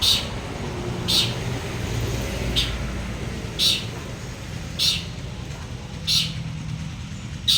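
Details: Two champion long-tailed shrikes, one local to Madura and one local to Bojonegoro, placed side by side: short sharp high chirps repeated about every one to one and a half seconds over steady low rumbling background noise.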